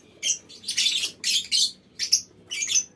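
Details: Lovebirds in a mini aviary calling as a group: five harsh, buzzy chattering bursts, each a quarter to half a second long, with brief gaps between.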